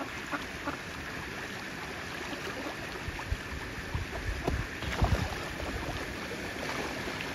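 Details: Lapping water and boat-like splashing and knocks, with a steady hiss throughout and no animal call heard.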